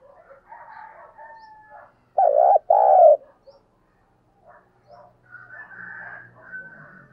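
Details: Spotted dove kept as a decoy gives a single loud two-part coo mid-recording, surrounded by softer distant coos and faint low hum.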